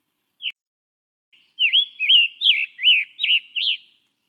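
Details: Scarlet tanager (Piranga olivacea) song, a Vermont healthy-forest priority bird: a lone short note, then six hoarse, burry phrases swinging up and down in quick succession, like a robin with a sore throat.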